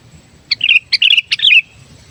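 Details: Energetic song of a captive sooty-headed bulbul used as a lure: three bubbling phrases in a row, sharp opening notes giving way to rolling, liquid warbles, the last ending in a longer slurred whistle.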